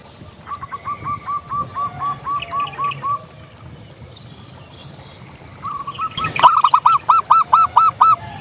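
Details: Local zebra dove singing, recorded to provoke and excite other doves: a long soft series of quick clipped coos, a pause, then a louder ringing run of hooked notes, with faint hiss behind.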